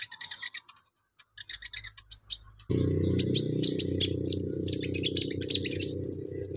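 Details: Olive-backed sunbird singing vigorously with mimicked phrases, used to train other birds; choppy bursts of very high chips and whistled slurs, broken by silent gaps, with a low hum in the second half.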